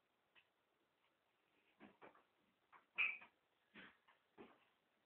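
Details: A pet African grey parrot swears, saying 'F it' as someone walks through the door, in short raspy speech-like syllables in quick bursts with one sharper squeaky note; the swearing was learned before its current owners bought it.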